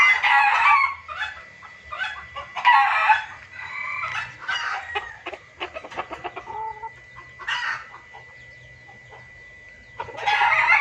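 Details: Junglefowl lure recording used for trapping: rapid bursts of harsh, clucking and crowing-like calls come in loud clusters separated by quieter stretches of scattered clucks, with a steady faint tone throughout.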